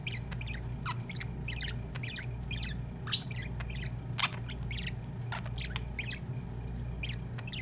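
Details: Pet budgerigar, a male feeding his partner, chattering in quick twittery warbles nearly once a second, interspersed with sharp clicks, above a constant low humming background.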